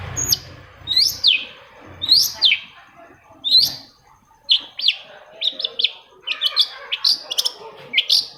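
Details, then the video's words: Long-tailed shrike, called cendet, singing as a lure for quiet shrikes: loud downward-sweeping notes about once a second, then denser, quicker chattering and squeaky phrases toward the end, background otherwise quiet. "PANCINGAN AMPUH!!! UNTUK MEMANCING CENDET PENDIAM YANG LAGI MALAS BUNYI"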